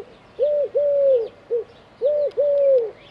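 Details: On an antenna in Dzierżoniów, a Eurasian collared dove coos steadily in clear, mellow three-note phrases, the middle note held longest, repeated twice in quick succession.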